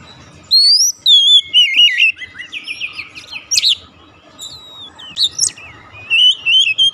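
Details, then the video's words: Lure of Oriental magpie-robin song meant to start a silent bird singing. Loud clear whistles are followed by a fast chattering passage and sharp high notes, ending in rising and falling whistles. "memancing ncept Kacer macet bunyi langsung gacor"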